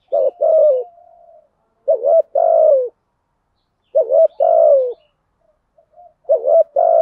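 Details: Spotted dove decoy cooing to lure wild doves: two loud phrases about four seconds apart, each a short wavering double note then a long, level, slightly falling coo, with soft trailing notes between.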